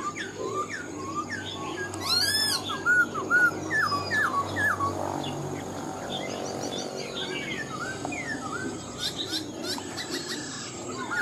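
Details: Wild-caught caged Black-throated laughingthrush in "mộc dở" song: bursts of whistled swoops and sharp upward sweeps, busy at first, then quieter scattered notes and high chips for several seconds.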